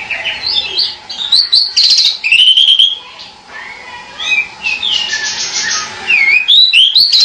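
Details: Pied bushchat calling: a busy stream of bright chirps and short whistled notes, some slurring upward and some falling, overlapping at times, with a faint steady hum underneath.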